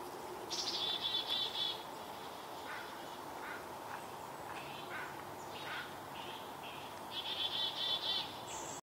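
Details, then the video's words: In Vancouver, Canada, a black-capped chickadee scolds a barred owl beneath a maple tree. Two bursts of rapid, raspy buzzing notes are separated by a string of short, scattered chips and squeaks, with constant low background hiss. "a chickadee scolds"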